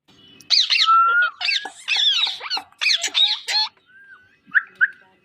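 Rose-ringed parakeet giving harsh, grating squawks and rapid chattering chirps over about three seconds, with bending whistled notes, then a brief pause and two short screeches.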